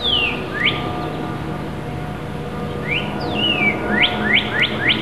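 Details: Robin fledglings leaving their nest and learning to fly. Sharp whistled chirps sweep quickly down or up, one pair early on and a burst of five or six near the end, over a steady low background hum.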